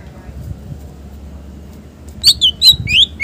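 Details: Green leafbird (cucak ijo) singing a varied, rich song meant to lure and tutor other birds: after a second of quiet hum, a quick string of bright, high, slurred whistled notes ends the passage.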